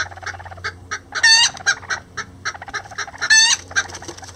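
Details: Miniature lavender bantam roosters and a hen, nest-building together, make soft regular clucks about four per second, interrupted by two louder harsh squawking calls with rising tones.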